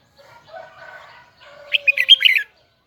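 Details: Red-whiskered bulbul, Huế type, with its high, double twisted voice: a quiet low chattering, then a tight cluster of rapid, ringing whistles rising and falling, ending abruptly.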